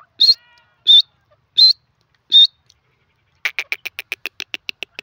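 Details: Grey francolin, called desi teetar, giving four sharp high call notes, then a rapid stuttering series of short clicking notes that quickens toward the end, background otherwise silent.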